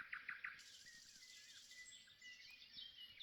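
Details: Around 5 a.m. at dawn, a common nightingale that has sung all night sings in quick bursts: three rapid chirps at the start, then trilled, whistled phrases, with other birds faintly in the background.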